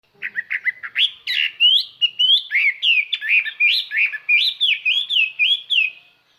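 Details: Chinese hwamei used as a lure bird, singing clear, far-carrying song to call and provoke wild birds: a rapid run of loud, slurred whistled notes, rising and falling, about three per second, with no other sounds.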